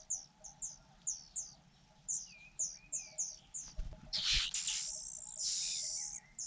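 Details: Fujian niltava chicks fed by their mother: evenly repeated high, sharp chips that erupt into a loud, hissing, scratchy begging chorus when the food arrives, then fade with soft, lower whistles.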